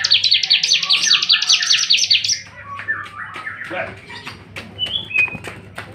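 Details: Bar-winged prinia, released from its cage, singing energetically: a rapid run of sharp, high repeated notes for about two seconds, then scattered chirps and a few whistled notes, with a low steady hum underneath.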